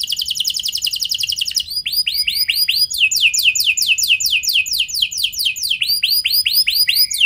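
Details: Rich canary lure song to spur other canaries into singing: a rapid trill first, then many arching and steeply falling whistled sweeps repeated at a lively pace.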